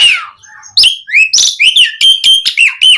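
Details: Asian pied starling in full varied song used to prompt caged birds to sing, a dense run of harsh chatter, sliding whistles and bright repeated notes rising to a steady pulsing series near the end.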